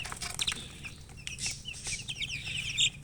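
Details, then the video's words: Colored domestic chickens chirping: scattered high, thin peeps early, then a quicker run of rapid overlapping chirps near the end, over a low rumbling background. "silly chicken chirping sounds with murgi hen color chicken"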